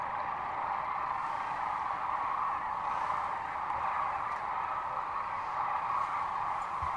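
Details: A loud, close chorus of sandhill cranes at Rowe Sanctuary near Kearney, Nebraska, on March 13, 2014: many birds giving overlapping rolling calls in an unbroken roar.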